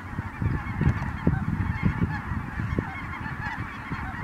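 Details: Incoming Ross's geese, Merced National Wildlife Refuge, December 22, 2017. A constant mass of thin, high honks and yelps from many birds sits above a pulsing low roar of wind.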